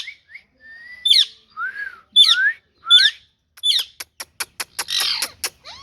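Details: Green ringneck parrot, a rose-ringed parakeet, vocalising: a few short whistled notes, then sharp rising chirps and a rapid run of clicking ticks near the end.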